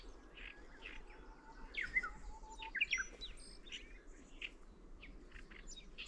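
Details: Middendorff's grasshopper warbler singing: short bursts of rapid, chattering high notes with a few thin drawn-out whistles, fairly faint over a steady low outdoor rumble.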